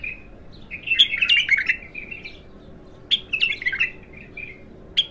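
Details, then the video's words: Untrained bulbul, locally Abtar, singing in its first session: two bright, bubbly warbled phrases of mixed whistles and chatter, each about a second long, separated by a short pause. "تغريد الابتر خام اول فتحـه له ماشاء الله اسمع الساناته"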